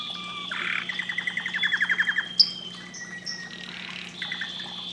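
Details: Canary singing a short fast trill of repeated notes, followed by brief high whistles and buzzy fragments against background hiss and hum.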